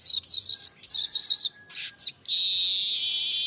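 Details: Continuous, unedited song of a streaked weaver: two scratchy buzzing phrases and a pair of short rasps lead into a long, even, high sizzling hiss.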